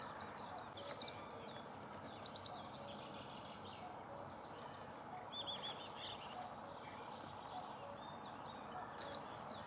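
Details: A European pied flycatcher on autumn passage (August–September), down from mountain forest breeding areas of the Iberian Peninsula, gives high, thin chirps in quick clustered bursts, then scattered sharp notes, over a soft outdoor hiss.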